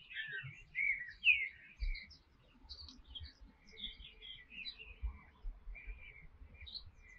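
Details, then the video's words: Canary song of scattered chirps, short whistled slurs and twittering notes, fairly soft, with light low-pitched handling noise. "Canary Singing: The Most Beautiful Sounds of Nature | canary | Canary tweet"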